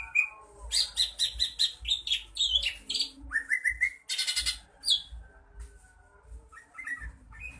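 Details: Greater green leafbird being trained in Bojonegoro gives a series of buzzy, rattling phrases, a rising whistled slur, then a harsh noisy burst before quieter scattered notes, with low thumps in the background.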